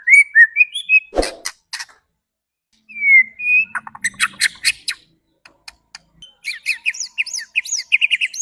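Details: Murai batu (white-rumped shama) provoking song meant to get other shamas worked up and singing: clear whistled slurs, sharp clicks and a later run of fast, bright chirping phrases, with brief quiet gaps.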